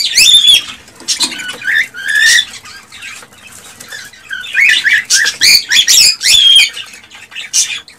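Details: Excited male cockatiel song aimed at getting a female to mate and breed, with warbled whistles and buzzy sweeping notes delivered in two lively runs of rapid, uneven bursts around a quieter middle stretch.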